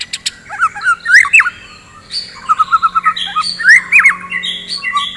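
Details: A white-rumped shama sings in the morning to excite fighting birds: swooping whistles and clicks, a pause, then a quick row of even whistled notes and rising slurs.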